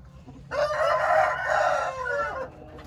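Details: One Hint rooster crows: a loud, hoarse, sustained cry of about two seconds, slightly falling at the end, over a faint low hum.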